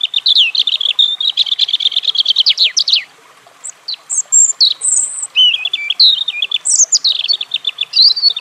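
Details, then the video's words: European robin pouring out a rapid trilled series of notes, then after a brief pause a mix of very high thin whistles and tumbling twittery phrases. "European Robin Calling Sound"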